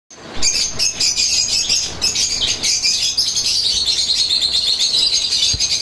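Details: Adult pair of caged Atlantic pied canaries: a continuous high, bright warble of rapid twittering notes, with a sustained trilling line running through the later part.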